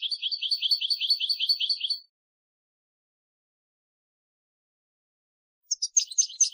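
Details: European goldfinch song: a bright, high trill of evenly repeated chirps lasting about two seconds, then a long silence, then a short burst of sharper rising twitters at the end.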